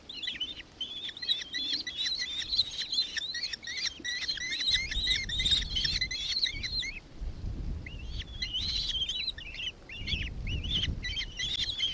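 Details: Long bout of fast, shrill ki-ki-ki chattering from a nankeen kestrel, Victoria, Australia, 4 December 2024, about two notes per second, with a pause midway and a low background rumble.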